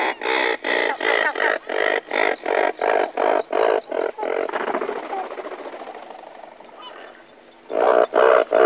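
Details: Several razorbills (Alca torda) near their nests in a breeding colony call before taking off: harsh, grunting rattles at about three notes a second, fading to a softer murmur before a final loud burst.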